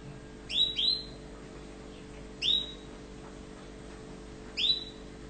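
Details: Orange canary from Tunisia calls with a quick double upslurred tweet, then single rising whistles about two seconds apart, bright and clean above a soft constant hum.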